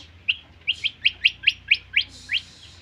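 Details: White-rumped shama song as a series of about nine sharp, rising chip notes repeated roughly every quarter second, ending with a slightly longer note, over faint low background hum.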